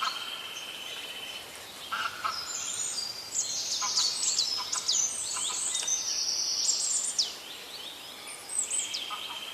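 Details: Birds singing in nature, several voices overlapping: high whistles, sharp rising and falling chirps and short trills in a busy, irregular stream, with a few lower notes mixed in.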